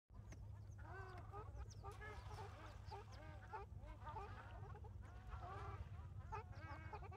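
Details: Ruddy shelducks at Maguri, Assam: many birds calling at once, a dense chorus of nasal honking notes overlapping continuously, over a steady low rumble of background noise.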